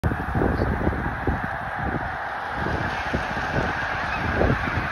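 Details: Snow geese migrating in Delaware, USA: a dense flock chorus of many overlapping nasal honks, continuous and loud for the whole stretch, over a steady broadband rushing background.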